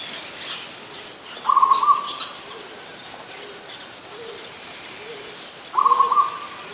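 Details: Zebra dove, adult, Ubon Ratchathani, Thailand, recorded 24 December 2020. Two clipped, trilling coos come about four seconds apart, each a quick stutter of notes, over quiet background sound.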